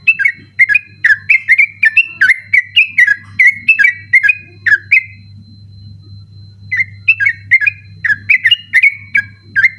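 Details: Sooty-headed bulbul in persistent night song, kept as a master recording for birds that compete at night: rapid runs of loud whistled, slurred notes, about two per second, a pause, then another run, with a low hum beneath.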